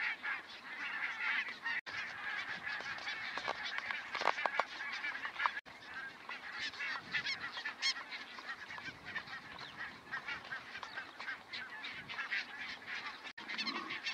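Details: A large flock of barnacle geese at Stadil yapping continuously, a dense chorus of short, high, barking calls overlapping without pause.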